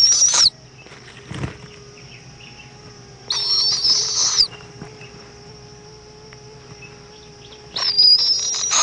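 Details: Nest of an owl in Indiantown, Florida, at 7:20 pm, February 11, 2014, mother arriving with an insect for the chick: three rasping hiss-screeches roughly four seconds apart over a faint steady hum.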